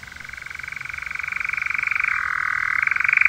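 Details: A paired male European nightjar churrs, captured by an unattended recorder: song type II with a terminal phrase. It is a continuous, rapid, mechanical trill that grows louder and shifts lower in pitch partway through before rising again.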